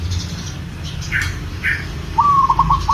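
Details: Local zebra dove in breeding condition calling a female, kept bird: two brief higher chirps, then a clear rolling coo that starts with a long note and breaks into quick trilled pulses.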